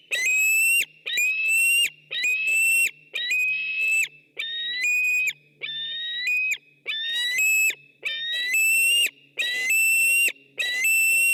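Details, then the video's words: Nature webcam recording of a white-tailed eagle, 6 August 2015: a long run of shrill, slightly rising yelps, some steady and some wavering in pitch, given back to back with short gaps and little other sound. "Merikotkas 06.08.2015"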